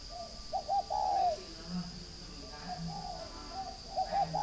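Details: Spotted dove, a northern Vietnamese bird kept at a breeding farm in Ba Vì, Hanoi, cooing in a rapid double-note then a drawn-out falling note, followed by softer answering coos and a constant high hum.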